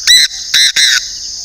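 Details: Caged decoy Chinese francolin from northern Vietnam giving three loud, harsh, raspy notes within about one second; a short first note is followed by two longer ones close together, with quiet background.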